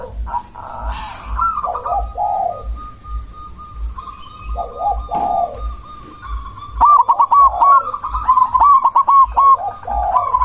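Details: Loud cemani zebra dove cooing as a lure to raise other doves' breeding drive. Two soft slurred coos are followed by a louder run of clipped, hooked notes repeated rapidly near the end, over a faint steady high whine.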